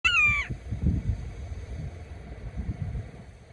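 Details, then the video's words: A wide-eyed red-shouldered hawk at Solary Park, Oviedo, Florida, calling out to its mate: a single loud, clear, slightly down-slurred half-second scream, followed by low wind rumble. "Red Shouldered Hawk Calls Out to Mate"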